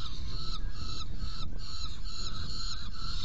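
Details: Saker falcon calling at a nest box while being fed, 10:31 on 17 June 2018; drawn-out, rasping harmonic wails repeat almost continuously, about every half second, against constant low-frequency hum.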